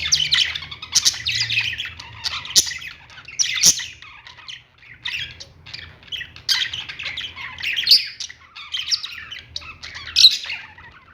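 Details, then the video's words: A group of lovebirds in a pet store calls in repeated clusters of grating, high-pitched squawks and tweets with short quieter gaps between, a few sharp clicks, and a low hum underneath. "love birds sounds | parakeet chirping sounds in pet store"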